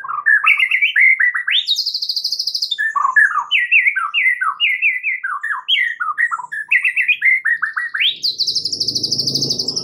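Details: Lure song of a white-rumped shama used to make other shamas respond: rich, continuous run of rapid warbled and slurred notes with high rising whistles, a low rumbling noise joining at the end.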